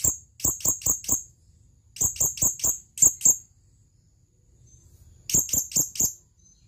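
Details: Male blue-crowned hanging parrot calling a female with rapid bursts of four or five shrill, very high clicking chips, bursts separated by about a second of quiet.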